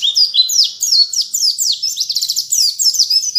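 A white-eye sings a fast, high twittering song of sweeping whistled notes and quick trilled chatter, run together without pause; no other sounds.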